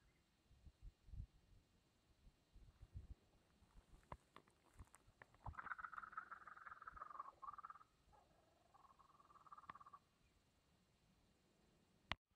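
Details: A little young kookaburra in a quiet, hushed exchange with a person gives a soft, rolling chuckle lasting about two seconds, then a shorter steady trill, over a quiet background with a few low thumps.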